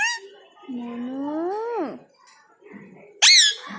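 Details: Pet talking ringneck parrot: a drawn-out, voice-like tone that rises slowly and then drops away, followed after a pause by a sudden loud, shrill screech.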